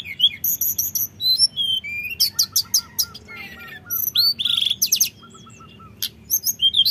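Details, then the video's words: Lure song of a common iora meant to provoke rivals, fluting and rolling: dense high chirps and whistles, a series of short repeated lower notes about twice per second, sharp upslurs, then a quiet pause. "Pancingan tledekan nyuling ngeroll bikin lawan emosi"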